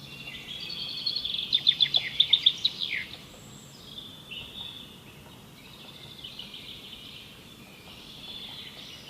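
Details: Woodpecker, described as a bird of the local area. A burst of sharp, high, rapidly repeated notes in the first seconds, then fainter high thin notes trailing off against a quiet background.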